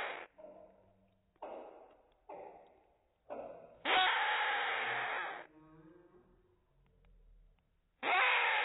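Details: Rainbow lorikeet foster chick begging as a five-year-old female feeds it: several short, scratchy, softer calls, then a long harsh rasp, quiet, and another loud rasp starting.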